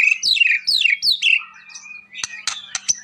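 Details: Energetic white-rumped shama song from a master-training compilation: high whistled notes sliding steeply downward in quick succession, a lower drawn-out whistle, then a series of sharp, loud clicking chips.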